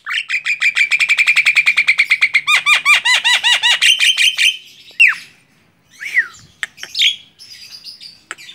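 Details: Tame Javan myna singing on a hand, opening with a long fast series of ringing downslurred whistles, then slower looping notes, before breaking into scattered squeaks and rising whistles.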